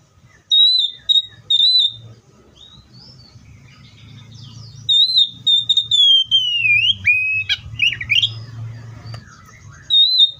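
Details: Oriental magpie-robin song: clear, high, level whistled notes repeated in short groups, then a long sliding whistle dropping in pitch and a scratchy twittering flourish, with a low steady hum in the background.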